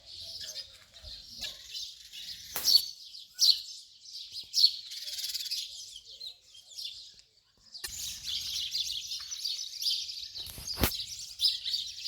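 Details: Continuous house sparrow chatter with overlapping chirps, broken by a short lull near seven seconds and sharp clicks around three and eleven seconds.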